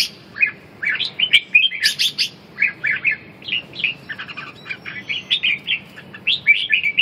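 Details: Red-whiskered bulbul singing competitively, meant to restore a bird's lost drive: lively, clear whistled phrases of two to four notes, repeated in quick bursts with brief pauses and a few sharp higher squeaks, over low steady hum.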